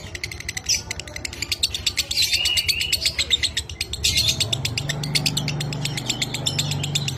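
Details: Pet lovebird, 'minor kering' variety, used as a training master for the 'dobelan' style: dense, rapid high-pitched chirping with brief whistled slurs mixed in, over a steady low hum in the second half.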